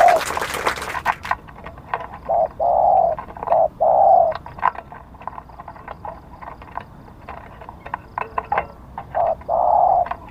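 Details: Spotted dove kept as a decoy for luring wild doves, with lucky markings; several hoarse mid-pitched coos in loose groups, mixed with frequent sharp clicks and knocks.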